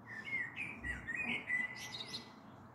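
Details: Common blackbird song on the evening of 21 April 2022 as a storm may be brewing, taken from a balcony: a run of low, mellow fluting whistles that ends in a squeaky, high twittering flourish.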